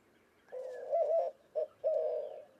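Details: A single cooing phrase from a white-winged dove: a low, wavering double coo, a brief pause, a short note, then a long sustained coo.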